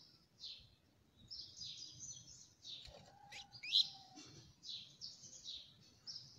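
A Double-collared Seedeater sings a fast, continuous run of high twittering and buzzy notes, with a brief lower whistle-like tone in the middle.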